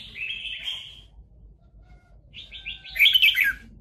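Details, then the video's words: Red-whiskered bulbul singing and fighting fiercely, in a trapping setting with decoy birds and a dueling song. A bright warbled run of quick notes opens, then a pause, then a louder burst of chattering, twittering notes, over a low steady hum. "chào mào cực đẹp hót cực hay đánh nhau cực khủng"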